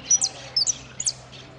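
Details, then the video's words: Saffron finch in a singing contest at Piran, 25/09/16: short high whistled phrases, three bursts of sharp descending notes with quiet gaps between, over faint low background hum. "Participo en amarillo sin cierre concurso Piran 25/09/16"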